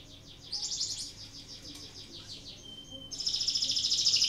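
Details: Canary in breeding condition, whose song is used to set other canaries singing, delivers a pulsed buzzy trill, a few thin whistles, then a loud, fast, very high rattling roll.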